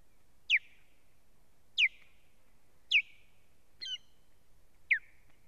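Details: Live nest camera, 1 May 2017: an osprey female being attacked at the nest by strange ospreys gives strong, sharply downslurred whistles spaced just over a second apart, with one harsher, broken note among them.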